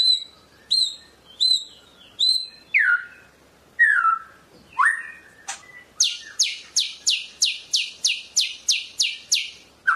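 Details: A Medan white-rumped shama sings loud varied phrases: four high double chirps, then rich descending slurred whistles, then a rapid run of about a dozen sharp repeated notes.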